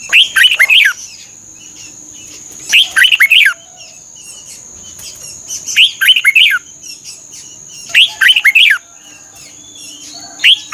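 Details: Red-whiskered bulbul singing for caged-bird training in Thailand: five short chirpy whistled phrases, each of three or four quick descending notes, spaced roughly two and a half seconds apart, with a steady thin whine behind.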